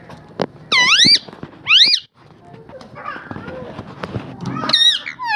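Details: Talking parrot: two loud, high, arching harmonic cries in the first two seconds, then softer chattering sounds and another bent, wavering cry near the end, over light background noise.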